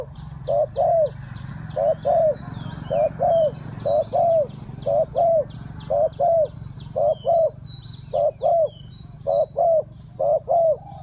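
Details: Cooing spotted dove set out as a decoy for wild birds, in the Thai three-kuk hanging style: a long, even series of doubled hoarse coos, a pair about every second, with high chirping birds and a faint low hum behind.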